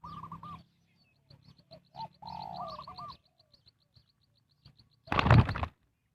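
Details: Spotted dove cooing to lure wild birds into a trap: quick rounded coos, then a long falling coo followed by more short notes. Faint high chirps follow, and a loud thump near the end.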